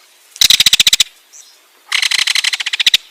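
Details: Ringed kingfisher giving two loud, harsh rattles, each a rapid train of clicking notes, the second burst longer and slightly slowing, with silence between.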